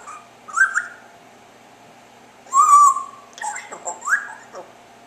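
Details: Pet parrot indoors in the afternoon, chirping: short whistled chirps near the start, then a louder warbling note around the middle and several rising whistled chirps toward the end, over a steady low hum.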